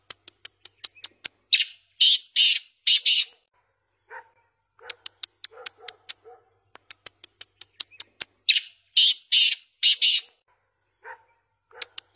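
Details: Tame native black francolin calling twice: each phrase starts with one short harsh note, then three loud rasping, buzzy notes; quick dry ticks and faint soft chirps fill the gaps.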